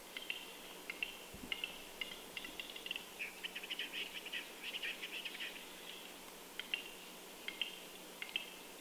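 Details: Early-morning Western capercaillie displaying by itself during snowfall at Kuusamo on 6 May 2021: scattered dry clicks speed up into a dense run of rasping, scraping notes, then thin out into sparse clicks again.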